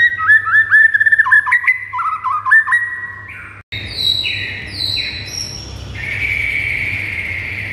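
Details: White-rumped shama song used to provoke pet birds into an aggressive singing mood: a run of fast warbled, wavering whistles around mid pitch, then after a brief cut a series of higher flat whistled notes over a steady low hum.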